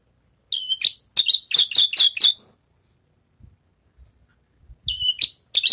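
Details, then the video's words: Javan bush lark, freshly through its moult and practising song: a string of bright, piercing chirps in quick succession, a pause with faint low knocks, then the chirping starts again. "branjangan selesai mabung latih bongkar lagu"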